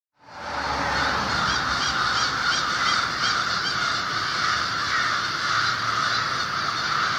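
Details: Over 1500 American and Fish Crows wake in a winter communal roost by the Merrimack River in Lawrence, Massachusetts, before sunrise. After a brief silent start, a dense, unbroken wall of overlapping harsh caws sets in and stays loud throughout.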